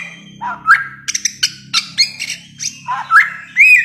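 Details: Bare-throated whistler, endemic to Nusa Tenggara and known on Flores as the spirit bird, delivering short whistled upslurs and clipped chirps in separated bursts over a faint low hum.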